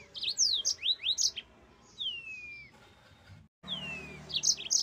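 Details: Yellow-fronted canary (mozambik) with quick rising chirps followed by two long, clean, descending whistles separated by a quiet stretch.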